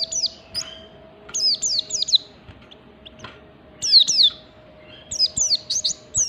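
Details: Standard ngalas singing by an oriental white-eye, meant to provoke other white-eyes: clusters of shrill, quickly falling chirps, some upward-sweeping notes, spaced by brief pauses above a constant low hum.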